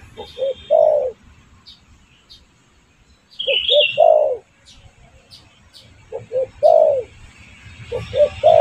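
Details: Lure call of the spotted dove to attract birds, given as three groups of two quick soft notes and a longer downward-bending coo, separated by pauses, with a brief higher chirp and faint ticking.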